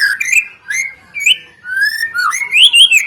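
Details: White-rumped shama song used to set other birds singing: clear slurred whistles with buzzy high overtones, short phrases separated by brief gaps, ending in rising bright notes.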